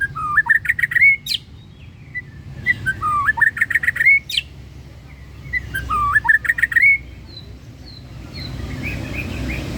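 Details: White-rumped shama with a rich varied song: three separate phrases of clear whistled notes, each ending in a rising slur and a sharp click, with pauses of about two seconds between them; a soft hiss underneath.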